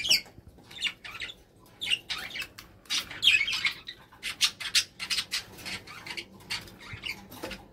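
Kakariki giving rapid, harsh chattering squawks in quick bursts, high and scratchy, with brief pauses between runs; an indoor room tone underneath.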